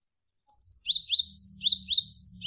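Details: Javan sparrow song used as a master track for contest birds, with water flowing behind: repeated high, falling chirps in pairs alternating with thin, very high notes, steady and continuous.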